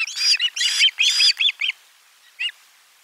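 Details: Osprey at nest 4 during a lunchtime fish delivery on 12 July 2022: a few loud, harsh squealing notes, then shorter falling chirps that trail off into quiet, with one last isolated call.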